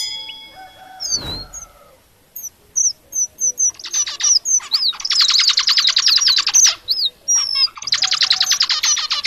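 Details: Red avadavat tutor song for white-rumped shamas: scattered thin whistles, then long buzzy rolling trills broken by wavy whistled notes, after a brief whoosh at the start.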